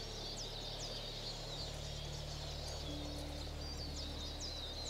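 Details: Eurasian Siskins, a flock feeding on pine cones in a tree in Bavarian Forest National Park, Germany, in March, give high, thin twittering and squeaky calls with many overlapping notes; a man's voice and low rumble too.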